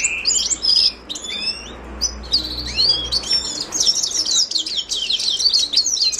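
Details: Carduelis caniceps, the Himalayan goldfinch, singing: a few scattered high chirps first, then a long, lively stream of tinkling twitters and thin rising whistles.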